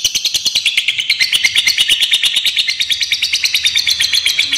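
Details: Fighter lovebird giving a long ngekek, used as a lure and tutor recording for other lovebirds: a fast, high-pitched chattering trill of evenly spaced sharp pulses running without a break through the whole stretch.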